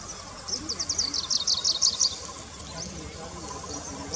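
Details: A Grey-breasted Prinia in roadside scrub: about a dozen high, sharp, evenly spaced notes delivered in roughly one and a half seconds, then quieter faint notes, over a low rumbling background.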